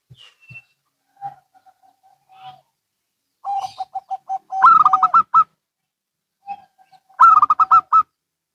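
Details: Zebra doves of local and Bangkok types calling in turn: scattered quiet coos, then a rapid stuttered series answered by a louder, higher vibrating burst, repeated about eight seconds apart.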